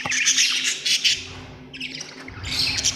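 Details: Budgie giving loud continuous harsh, buzzy chatter with bright squeaky peaks, dipping briefly before resuming, over a low hum.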